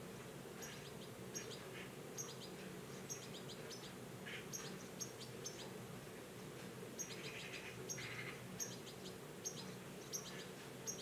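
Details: Goldfinch being fed in the wild, giving thin, high twittering chirps in short bursts spaced through the recording, with a few softer lower notes, over a steady low hum of background noise.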